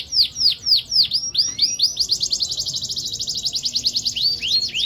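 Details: 'Cengkok mewah' canary song, sung prolifically ('gacor'): several loud, swooping down-slurred whistles, then a fast steady rolling trill of high notes, ending with rising slurred phrases.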